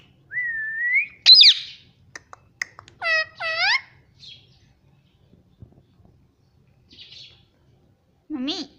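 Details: Talking parrot kept at home: a rising whistle and a sharp squawk, clicks, then three quick harmonic syllables, quiet pauses, and a final throaty phrase.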